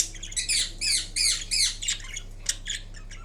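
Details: A pet green Indian ringneck parakeet making different sounds while napping: a run of harsh, scratchy squawks and short chattering notes, about two or three per second, over a low indoor hum.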